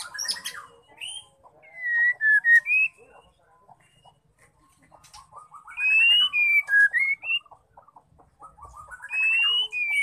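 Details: Female white-rumped shama singing, a song used to rouse male shamas into singing. Loud clear whistled phrases, some rising and some falling, come in bursts around 2, 6–7 and 9–10 seconds, with quieter warbling between them and quick chirps at the start.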